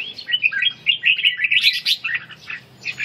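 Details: Red-whiskered bulbul in ché training for stamina, giving a quick string of bright chirps and warbled slurs that climb into sharper high notes, then taper off softly.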